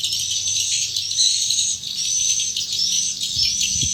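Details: Dense high twittering of swiftlets moving into a swiftlet house nest, punctuated by thin rising whistles and a soft knock near the end.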